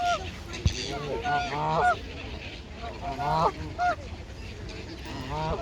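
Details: A noisy gathering of geese at Mote Park in Maidstone, UK, on the water: harsh, stuttering honks in ragged bursts roughly every second or two, several birds overlapping, over low background rumble.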